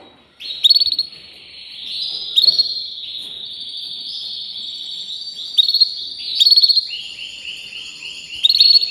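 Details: Gold medal canary singing: long continuous rolling trills, rapid buzzy rattles and bright high notes shifting between tours, with sharp accented bursts every second or two.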